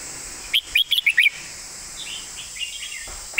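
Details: Red-whiskered bulbul producing a fast sequence of about six clear, slurred whistled notes in 'master song' phrasing, followed by softer distant warbles and the start of another phrase, over a steady high hiss.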